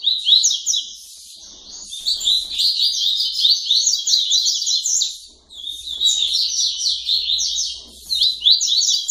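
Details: A captive double-collared seedeater (Sporophila caerulescens), singing late at night with its family, gives a fast, high, twittering tui-tui song of quick slurred notes in two long bursts with a brief pause between.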